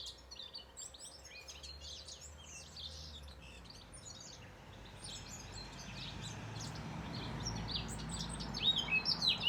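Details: Many small birds chirp together in a soft, busy chorus of short high twitters over steady background hiss and low rumble. The twitters grow louder and brighter toward the end.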